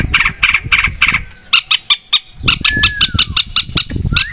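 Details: Long-tailed shrike lure song. Harsh grating notes repeat several times per second, and smooth falling and rising whistles are mixed in. Low rumbling background noise accompanies the calls.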